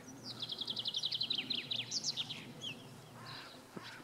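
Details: Displaying great crested grebe gives a fast run of sharp, high ticking notes, about a dozen in under two seconds, then a few squeaky higher calls, over a low background murmur.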